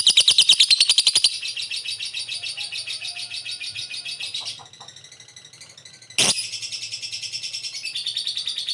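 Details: Lovebird calling with ngekek chatter, used as a lure to get other birds to answer quickly; a long, fast rattling trill of rapid high notes, a brief softer pause, then a sharp squawk and renewed rapid chatter.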